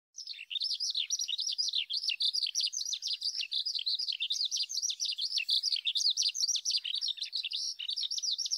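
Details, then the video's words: A male Eurasian skylark sings facing into the wind, pouring out a long, unbroken stream of high, rapid warbling and trilling, full of quick chirps and slurred notes with no pauses. "ヒバリ♂ 鳴き声Song / Eurasian Skylark"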